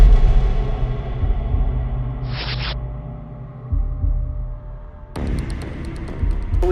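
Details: A deep steady rumble and hum with a brief hiss and a burst of rustling noise near the end; no animal calls.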